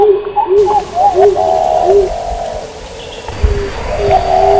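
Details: Pigeon voices in two pitch layers: low arched notes and higher ones overlapping, then longer drawn-out tones after a quieter stretch, over a steady noisy background.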